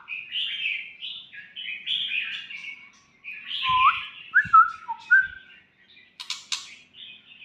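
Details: Young White-rumped shama delivering a lively, jumbled warble: scratchy high notes followed by several clear downslurred whistles, a sharp click-like burst near the end, and soft low knocks in the background.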